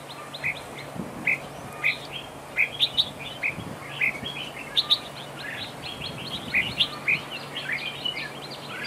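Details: Decoy red-whiskered bulbul in a trap duel, duel song: steady stream of crisp chirps and short warbled phrases, repeated roughly twice a second with small breaks, above a constant low electrical hum.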